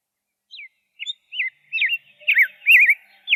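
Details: Song of a rose-breasted grosbeak, starting with sparse single slurred whistles that quicken into a fuller run of rolling, warbling notes toward the end.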